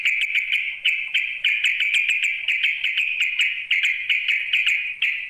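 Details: A sooty-headed bulbul calls to a rival with a continuous stream of rapid, sharp pulsed notes, evenly spaced and unbroken for the whole stretch.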